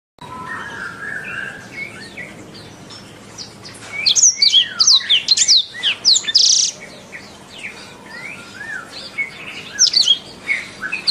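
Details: Canary tutor song used to train caged birds to sing well, best played in the morning or afternoon: a hissing background at first, then bursts of high, sweeping chirps and rapid twittering phrases in uneven clusters.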